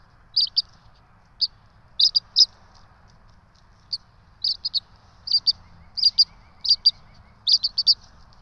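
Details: Bald eagle chicks, a pair of twins, beg as they are fed at the Johnson City nest cam on 12 March 2024, giving crisp high chips in paired and tripled bursts about every half second to second, with quiet low background noise.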